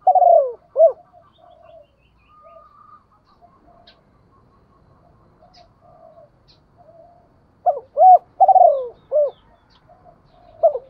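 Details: Caged decoy spotted dove luring wild doves, giving a husky coo phrase, a long quiet gap with faint sounds, then a louder phrase of short, rolled and falling coos.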